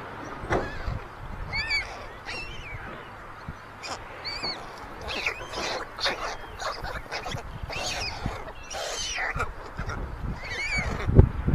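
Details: White stork chicks at a chimney nest in Ságvár, Hungary, on May 22, 2024, older siblings stealing the youngest's food; clusters of stacked, nasal, up-and-down squeals recur irregularly, with a sharp knock near the end.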